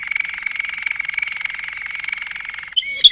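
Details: Malinois canary singing a steady, fast rolling trill of pulsed notes that holds one pitch for almost three seconds, then breaks into a short, sharp burst of higher chirps.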